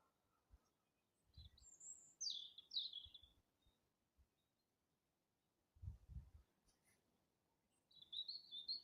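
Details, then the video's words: Birds in April beginning to sing: a high thin whistle, then quick descending twittered phrases, a quiet pause, and a final high trilled phrase, with soft low knocks and thumps in between. "Апрель: птицы потихоньку распеваются"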